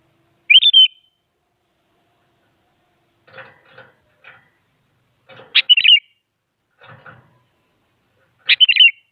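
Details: An active sooty-headed bulbul, used to prompt other bulbuls into song, repeating a quick bright whistled phrase three times roughly every four seconds, with soft rustles and taps between.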